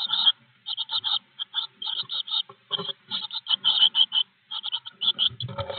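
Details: Blue tit calling at its nest box, 25 May 2021, recorded by an in-box wired camera: loud bursts of quick, high, rasping chirps in short rattling runs separated by brief gaps, ending with a low thump and scuffling inside the box.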